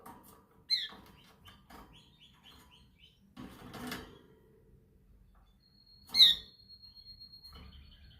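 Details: Canary practising its training song: soft repeated high notes early on, then a thin steady whistle held for over a second, followed by one loud sharp chirp and a quiet trill.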